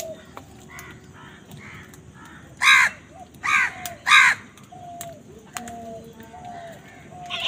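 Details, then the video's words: Crow fighting with wild birds for food gives three loud, hoarse caws in quick succession, each under half a second. Fainter caws come before them, and thin whistled notes from other birds run throughout. "Crow Sound কাকের ডাক"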